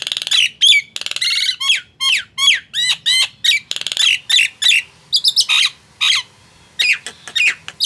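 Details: Nias hill myna pouring out loud, hooked whistles and rough squawks at an uneven pace. A few brief gaps break the run, and a thin high note comes near the middle. The song is played so silent mynas will answer.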